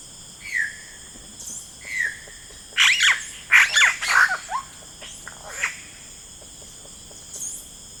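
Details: Yellow-rumped cacique in rainforest: two falling whistled notes, then a loud cluster of rich gurgling and harsh squawking phrases, fading to scattered chirps above a persistent insect buzz.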